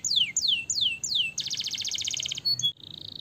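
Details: Canary singing, used to stimulate young canaries to sing quickly with long rolls; four high descending whistled sweeps, then a fast buzzy trill lasting about a second, ending in brief chirps and a steady high tone.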